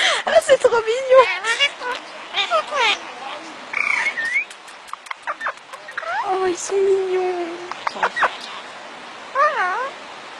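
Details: Twin parrots talking: rapid, squeaky chatter of warbling, speech-like syllables with bending, swooping tones, including a drawn-out nasal note and scattered clicks, coming in short bursts.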